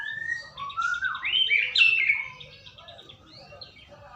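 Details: White-rumped shama song used as a lure to get another shama to sing: rich, varied whistled phrases that rise and fall, with a loud slurred run of notes in the middle that fades into softer twitters.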